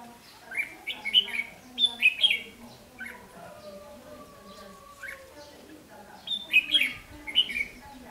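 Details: Caged Red-whiskered bulbul decoy singing to challenge and lure wild males into a trap, 8 July 2016; two bursts of quick, bright warbled phrases, sweeping up and down, separated by a quieter pause with faint background hum.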